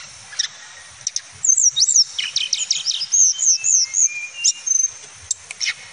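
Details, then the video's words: Male mountain flycatcher (Cyornis) singing: after a few isolated high notes, a fast run of sharp, high whistled downslurs and chirps, then a series of short looping whistles, with faint low background noise. "Suara Kicau Tledekan Gunung Jantan"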